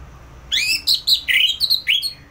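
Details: Orange-headed thrush, a kept songbird from Singaraja in North Bali, sings in the ngeplong style: a rising whistled note, then a rapid run of bright, rich whistled phrases broken by short gaps.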